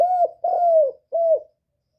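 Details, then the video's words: Spotted dove cooing, used to stimulate and lure other birds: three mellow, low cooed notes, the middle one longest and slightly falling, each ending in a short drop, then silence, with a clean quiet background. "Cu Gáy Giọng Cực hay kích bổi hiệu quả nhất"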